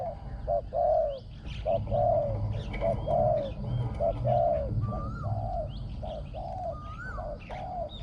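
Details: A captive spotted dove, kept for cooing, gives soft, low, hollow coos in a steady repeated series, about one each second, with other birds chirping and whistling higher up.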